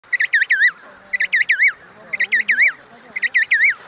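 Emperor penguin chick gives shrill, wavering whistled bursts of three or four rising-and-falling notes, repeated about once a second, with faint low voices beneath.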